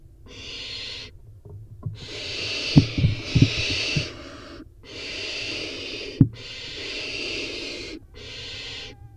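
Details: Four barn owl nestlings inside a nest box during a prey drop, one grabbing the food first; five long rasping screechy hisses of one to two seconds each, separated by short gaps, with sharp thumps and bumps in the box.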